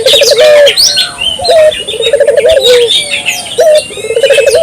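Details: Barbary dove cooing actively, to stir local doves into calling: low trilled coos ending in a drawn note, repeated about every second, over busy high chirping from other birds.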